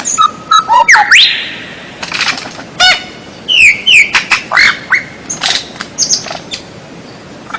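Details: Varied white-rumped shama song meant for training captive birds: a steady whistle, rising sweeps, quick stacked notes, and several slurred whistles separated by short gaps.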